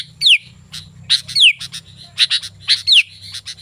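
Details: Lively sooty-headed bulbul singing, used as a lure to call wild bulbuls: sharp broadband chirps mixed with three clear whistles that slide downward, spaced about every three-quarters of a second, over a faint low hum.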